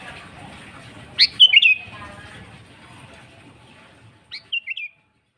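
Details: Sooty-headed bulbul singing vigorously. Two phrases about three seconds apart, each a sharp rising note and three quick warbled notes. The second phrase is quieter, and faint background hiss fades toward the end.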